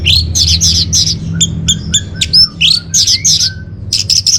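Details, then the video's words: Orange-headed thrush song for luring and tutoring caged birds: loud, bright chirps repeated in quick series, with interleaved thin whistles and slurs, very clear and close. "Bikin Geger ANIS MERAH Dirumah Pasti Gacor || Pancingan sekaligus Masteran Burung Punglor"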